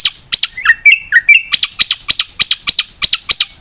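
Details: Black-winged myna with a few low slurred whistles, then a regular string of crisp, high chirps at roughly four per second.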